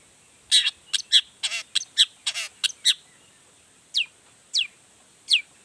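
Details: Long-tailed shrike singing to provoke other shrikes into calling: a fast jumble of rasping and chipping notes, then three clear, rising whistled slurs spaced about half a second apart.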